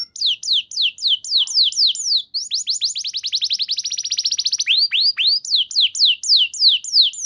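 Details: Canary song used as a lure to prompt silent canaries to respond and sing, in clear tone: high down-slurred notes repeated in fast series, then a rapid trilled roll, then slower sweeping whistles before the down-slurs return.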